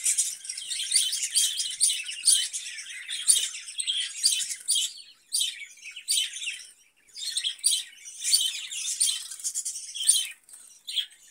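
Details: Budgerigar kept in a cage where it lays eggs and raises chicks, warbling in busy bursts of scratchy chirps and squeaky twitters, broken by short pauses near five and seven seconds.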